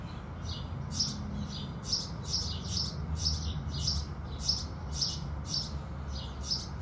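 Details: Sunrise song of house sparrows: a busy series of quick, bright chirps, nearly two a second and slightly irregular, over steady low-pitched background noise.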